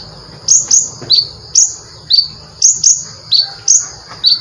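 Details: Brown-throated sunbird (konin) singing vigorously with a full varied repertoire, used as tutor recording for cage birds: sharp high chirps sweeping down, given singly and in quick pairs about every half second, over faint low background hum.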